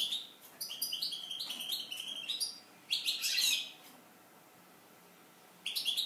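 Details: Eurasian siskin song heard as a lively morning wake-up: chattering phrases of quick high twitters and buzzy trills, a louder wheezy burst near the middle, then a long quiet gap before twittering resumes.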